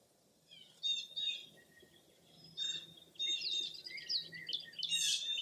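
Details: High, thin twittering and whistled notes from wild birds on a foggy early April morning at Mirror Lake State Park in Baraboo, Wisconsin, rising into continuous chatter by the end.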